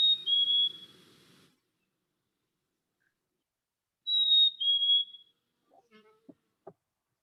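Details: Black-capped chickadee in Montana, a breeding male's typical two-note "hey sweetie" song: a higher clear whistle then a slightly lower one, given twice; faint low murmur and soft clicks follow.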